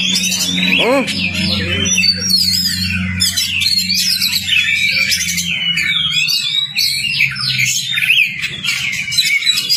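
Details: Oriental magpie-robin singing in a lure track for a stalled bird: a long stream of varied whistles, chirps and scratchy phrases, with a low droning tone under the first half and a brief wavering slide near one second.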